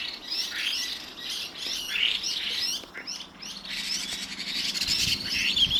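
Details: A pair of Chinese hwamei call at dusk, giving rasping squawks and thin whistles; rapid, jumbled runs of slurred and buzzy notes follow one another almost without pause, on a fairly clean background.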